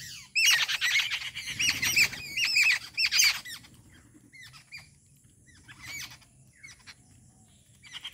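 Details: Rufous treepie visiting a home bird-feeding spot during morning feeding time, giving a loud burst of harsh, squawking calls over about three seconds, then a few scattered shorter calls; faint low rumble underneath.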